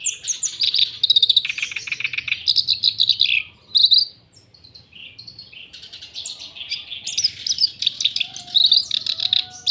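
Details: A black-browed reed warbler, a caged songbird used as a song tutor, sings a fast, chattering jumble of harsh, buzzy and squeaky notes.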